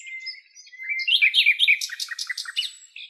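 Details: Wild common nightingale in Greece sings a varied phrase, opening with a long pure whistle, then rich warbled notes and a fast rattling burst of repeated high clicks.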